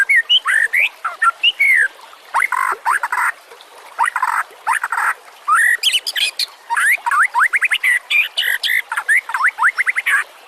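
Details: White-rumped shama song used as a master track for other songbirds: a long, dense, varied stream of whistles, buzzy bursts and rapid chattering notes with few pauses.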